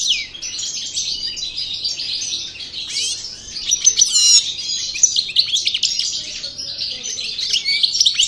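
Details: Song of a freshly moulted parva goldfinch from El Bordj: an unbroken high twittering stream with liquid chirps, brief metallic rattles and sharp repeated notes, fairly even in volume throughout.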